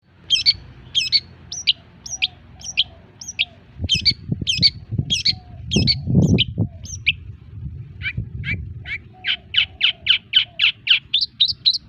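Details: Long-tailed shrike, a caged bird beginning to sing actively again after its moult, used as a training recording: sharp, high chirping notes repeated about twice a second, with low thumping and rumbling noises in the middle.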